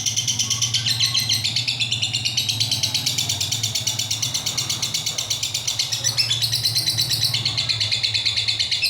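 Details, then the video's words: Lovebird singing ngekek, a long-lasting song, recorded unedited. A continuous rapid chatter of high, buzzy pulses runs through the whole stretch at a steady fast rhythm, over a low steady hum. "Love bird ngekek durasi panjang"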